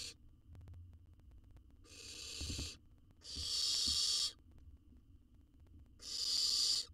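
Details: Owlet in a research-monitored wild nest box in Israel, taking a jird: a series of rough hissing screeches, each around a second, irregularly spaced, with soft low thuds and background hum.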